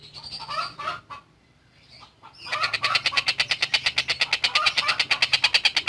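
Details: Tengkek buto, the long-tailed shrike, singing energetically as a masteran tutor. Scattered lower chattering phrases give way after a quiet spell to a fast, regular volley of rasping notes that grows louder toward the end.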